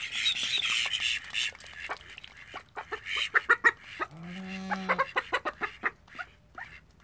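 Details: Household call ducks, one of thirteen kept at home, give a single drawn-out nasal quack lasting about a second, framed by a burst of high hissy squealing at the start and a run of sharp clicks and taps.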